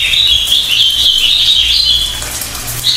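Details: High, thin whistled song of a pied fantail, with quick warbling notes that waver in pitch almost without pause, set against a faint low drone.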